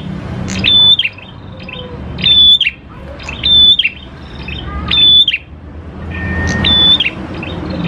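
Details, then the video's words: Prinia song used to entice prinias to sing: five energetic phrases of a pure, steady whistle framed by buzzy chirps, about one and a half seconds apart, with low background rumble. "PANCINGAN PRENJAK KLAWU GACOR, NGALUN BIKIN PRENJAK CEPAT BUNYI"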